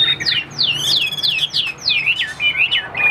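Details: Chinese hwamei, caged and for sale in Vietnam, sings a short burst of loud, looping whistles that swing down and rise again in quick succession.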